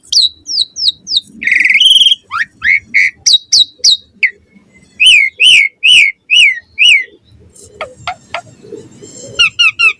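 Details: Morning song of an Asian pied starling singing hard, used to lure other starlings into song. Quick whistled phrases mixed with a harsh buzzy note, then a steady series of looping, rise-and-fall whistles, about two per second.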